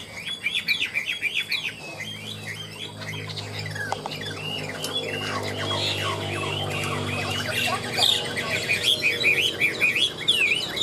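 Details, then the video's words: A caged Chinese hwamei delivers ngũ trường song: rapid, chattering runs of looping whistled notes repeated over and over, with a steady low hum underneath for several seconds. "Họa mi ngũ trường, hót cao cầu"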